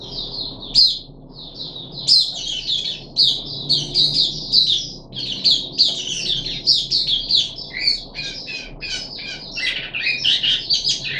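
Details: Captive puff-backed bulbul, third day of a deworming course, 14 July 2021, delivering a long, busy, chattering stream of high, rapid, twittering notes and squeaky phrases with scarcely a pause; soft background hum.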